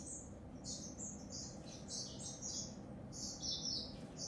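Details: Continuous high-pitched warbling from a grey singing finch: rapid bright chirps run together into a busy, rambling phrase, with a low background hum.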